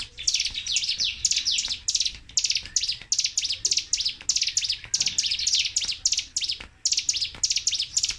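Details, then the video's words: Nonstop 'tembakan' of a Sunda warbler (cigun), meant as a lure and tutor for kept songbirds: dense clusters of piercing, high twittering notes rattled off in quick bursts with only tiny gaps between them. "TEMBAKAN CIGUN/CIBLEK GUNUNG GACOR DOR TANPA JEDA"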